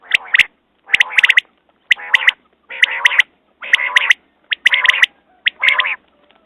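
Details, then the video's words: Repeated quail phrases, each a grating buzzy note topped by clustered sharp high clicks, coming steadily about every second with a faint background hiss. "Batair Ki Awaz New Quail sounds"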